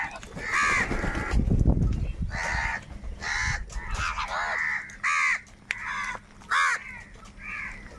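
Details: Crows fighting over food, calling very loudly: a series of harsh, hoarse caws in bursts, about nine in eight seconds, some doubled, over a steady low rumble of background noise.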